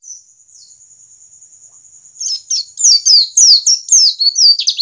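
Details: White-eye from the wild, its song played to encourage birds to sing: a steady thin high whine first, then after two seconds a lively cascade of sharp, descending whistled notes.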